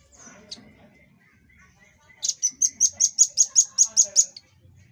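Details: Red-billed rambatan, the velvet-fronted nuthatch, in a master recording for training kept birds: after an isolated high note comes a long 'tembakan' burst of about twelve sharp, piercing chips at a steady quick rhythm lasting two seconds.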